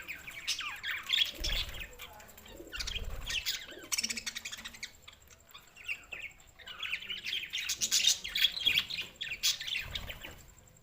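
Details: On June 7, 2024, budgerigars give quick repeated chirps and scratchy warbling phrases, loud bursts alternating with quieter stretches over about ten seconds.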